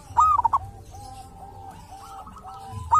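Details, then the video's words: Wild local zebra dove from a sacred tomb site, said to have a distinctive voice of its own: a quick burst of mellow, rolling cooed notes, a quieter soft hum, then another cooing phrase at the end. "perkutut lokal dari MAKAM KERAMAT ‼️punya suara cirihas tersendiri"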